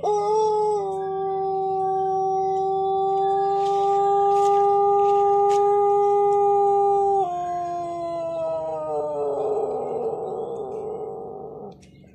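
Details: Pelung chicken, a champion bird, giving its prized long crow: a steady, very sustained harmonic note held about seven seconds, then stepping down and turning rougher and fading by twelve seconds.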